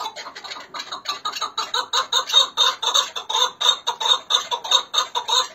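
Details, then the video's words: Hakkari and Dersim chukar partridges in a run of rasping, clucking chuk notes that start softer and grow louder and more insistent, about one and a half per second, with a clean quiet background. "Hakkari Dersim Keklikleri Muhteşem Ses"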